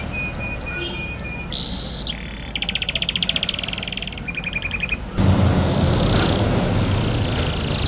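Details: Pet canary singing while bathing: rapid high trills and steady repeated notes that shift pitch between phrases, with splashing-like noise taking over in the last seconds.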